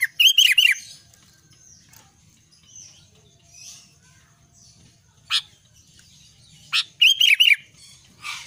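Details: Albino sooty-headed bulbul in lively song, two short bursts of rapid falling whistled notes several seconds apart, with a few sharp clicks and a quiet low hum between.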